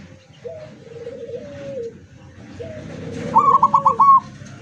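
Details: Zebra dove singing with open beak, recorded 24 September 2023: soft, rolling low coos followed by a louder, higher trill of about five quick pulses near the end.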